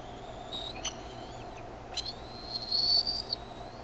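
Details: Bald eaglets at a Decorah nest on 13 May 2015, 6:35 PM CDT, grow noisier as their mother brings in food while one spreads its wings. Thin, high whistled peeps come in short bursts, ending in a longer, steady whistle.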